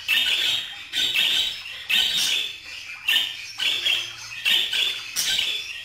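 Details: Budgerigar chatter running almost continuously, loud raspy buzzing bursts repeated roughly once a second with brief dips between them.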